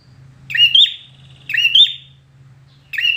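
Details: Red-whiskered bulbul in contest-singing style: two loud whistled phrases with an upturned flourish and drawn-out tail, about a second apart, start of a third at the end, over a low steady hum.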